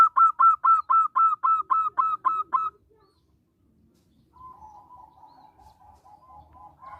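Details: Local zebra dove singing briskly, meant to lure other zebra doves into song: about eleven rhythmic, clipped coos in under three seconds, then quiet with a soft series of lower bubbling notes.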